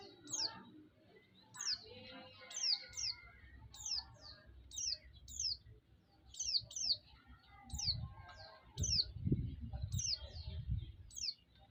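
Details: White-eye song played to provoke other white-eyes and stir their aggression: rapid series of high, sharply falling whistled notes, often in pairs, repeating steadily, with low thumping noise in the background.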